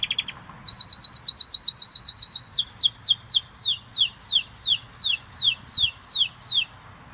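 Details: Pet canary in lively song: a brief note, then a long fast trill of high chips that shifts into slower, louder downward-swept notes repeated roughly every third of a second.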